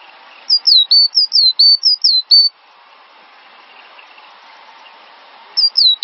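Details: Cinereous tit song on a master recording for songbird training: a burst of high, dipping whistled notes, then about three seconds of steady background hiss, then the phrase starting again.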